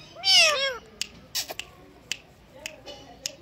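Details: Indian green ringneck parakeet kept as a pet, imitating a cat: a loud, arched, meow-like call with rich harmonics. Softer clicks and taps follow in a small room.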